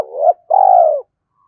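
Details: A single spotted dove coo for luring: a gently rising first note runs into a longer, even, slightly descending burry coo.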